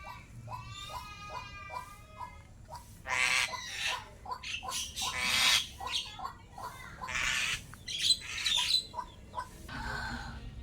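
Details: Harsh, raspy, harmonic-rich squawks and grating bursts from a pet starling kept four years, delivered in irregular clusters with brief pauses between them.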